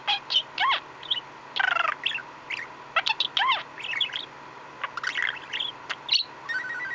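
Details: Male budgerigar kept as a pet chatters happily: quick warbled chirps, swooping squeaky notes, short buzzy rasps and clicks in a busy steady stream.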